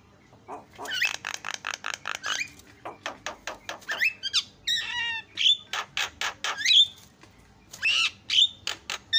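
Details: Javan myna song played to provoke other mynas: a fast, irregular jumble of dry clicks and rasps, mixed with short sharp whistles and chattering bursts.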